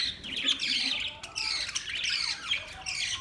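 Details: Continuous high, scratchy budgie chatter with quick squeaks and warbled notes, fairly even in loudness across the short stretch.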